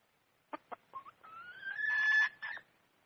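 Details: Red junglefowl hen, wild, heard at moderate distance: two soft clucks, a short rising note, then a long thin whistle-like note that swells into a harsh squawk, ending with one further cluck.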